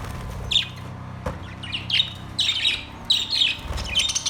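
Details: Caged budgerigars, Australian parrots, recorded September 3, 2023, producing clear bright chirps and short warbled notes in quick irregular groups, about one burst every half second, with a faint low hum and a click.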